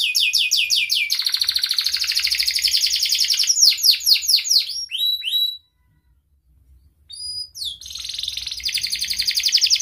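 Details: Canary in loud varied song aimed at getting lazy, mute canaries singing: rapid buzzy trills, a series of falling whistled sweeps, a brief pause, then rising notes and another long trill.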